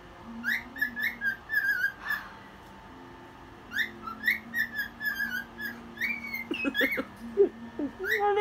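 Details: A pet cockatiel sings and dances at one in the morning, whistling short rising and falling phrases in bursts over a low steady hum, with a few clicks near the end.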